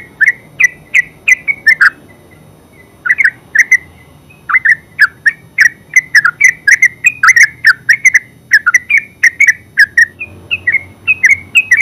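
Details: Full, busy song of a yellow-vented bulbul (terucuk): rapid chains of liquid, bubbling whistles, short bursts then long continuous runs after a brief gap near three seconds.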